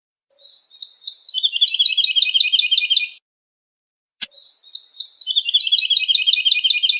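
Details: Lark singing for young birds to memorize: two rapid, warbling trilled phrases of about two seconds each, each starting with a thin lead-in whistle, separated by a pause with a single sharp click.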